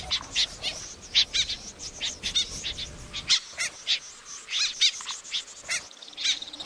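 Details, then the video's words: Snipe calls used to lure birds for night trapping: short harsh, rasping high notes repeated irregularly about twice a second, each a sharp burst, over a light background hiss. "tiếng rẽ giun chuẩn 1"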